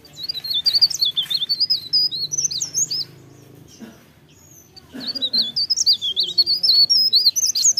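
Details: Leaf warbler singing energetically in the morning: bursts of thin, high, rapid twittering warbles with quick rising and falling notes, a pause near the middle, then another fast tumbling phrase.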